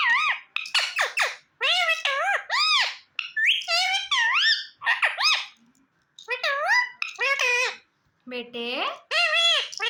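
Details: Ring-necked parakeet kept as a pet, chattering in imitation of human speech: rapid squeaky word-like syllables in short phrases, each with bent, wavering pitch, separated by brief pauses.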